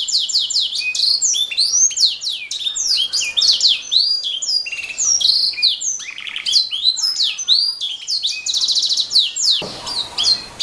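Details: A canary sings a fast, continuous stream of high, varied notes with rising and falling sweeps and rolling trills, ending in a brief burst of noise; the song is presented as a training recording for other songbirds.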